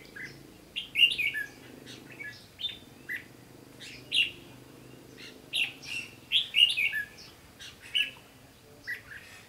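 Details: Red-whiskered bulbul singing its fighting song at a trap with a lure bird, recorded 15 June 2016: short, bright, warbling whistled phrases with quick up-and-down notes, repeated in bursts about once or twice a second over a faint low hum.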